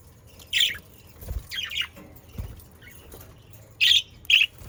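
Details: Pet Australian parakeets from South Holland, Netherlands, utter a few harsh squawky chirps spaced apart, with two louder grating notes close together near the end and faint low thumps between calls.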